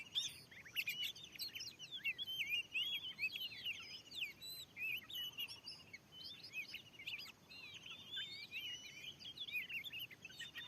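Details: Wild, very fierce Oriental magpie-robin countering a lure in a newly set-up field: continuous, rather distant medley of whistles and chips with short pauses, over soft background hiss.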